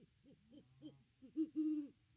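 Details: A Great Horned Owl pair at the nest tree on 25 December 2021, caught on a nest camera: several quick low hoots, then one longer, steadier hoot held near the end.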